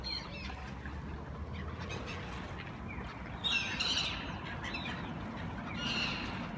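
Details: Black-tailed gulls at the Sunaoshi River in front of JR Senseki Line Tagajo Station, Tagajo, Miyagi, Japan, give hoarse, mewing, cat-like cries, a few scattered calls over several seconds, against a steady low rumble of traffic and running water.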